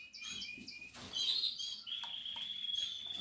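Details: Nestling canaries of the Portuguese harlequin type in a nest, giving high thin cheeping calls with a steady squeaky whine near the end, over faint low background hum.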